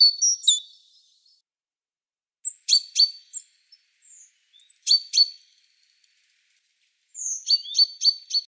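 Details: A tit paying a visit to a fisherman gives scattered groups of high, clipped chirps separated by short silences, ending with a quick run of five sharp notes.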